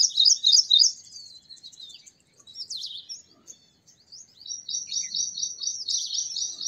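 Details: A purple sunbird gives a loud, rapid chatter of high notes, then quieter scattered twitters, before ending on a fast, evenly pulsed trill of bright, repeated high notes.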